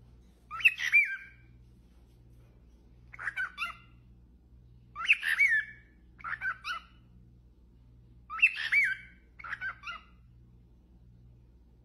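A cockatiel whistles short bursts of song, sharp chirpy phrases repeated every couple of seconds.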